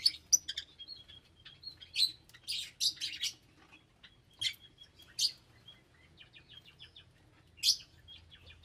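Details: Colourful lovebirds call with repeated sharp, high chirps and squeaky twitters, scattered through the clip over a soft low hum.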